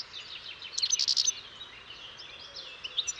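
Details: European goldfinch singing a brief, bright twittering burst of quick high notes over steady background hiss, then faint thin notes.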